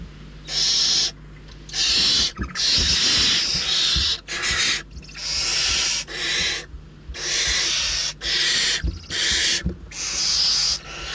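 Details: Barn owl nestlings in the Ebro Delta's Riet Vell reserve, starving after lean days, fight over prey delivered by a parent; dense run of loud rasping screeches, nearly continuous, overlapping bursts with brief gaps.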